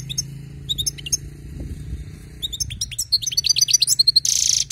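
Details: European goldfinch taken from the wild, starting with scattered sharp chirps that build into rapid, repeated bright twittering notes, about four per second, ending in a hiss of noise.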